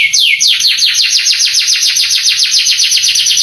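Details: Singing canary, a master recording played to stir young canaries into replying; after a short falling whistle, a rapid rolling trill of downward-sweeping notes repeats about three to four times a second.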